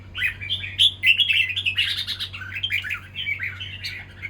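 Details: Red-whiskered bulbul in a fighting contest, giving rapid, bright chirps and warbled phrases in quick bursts, busy and irregular, with a low steady hum underneath.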